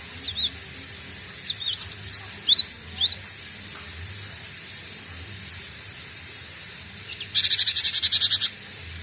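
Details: Cinereous tit (gelatik batu) learning to sing, just starting the ngombyok style: a run of quick, high chirps, then after a pause a fast, buzzy, rattling series of repeated notes, over constant hiss.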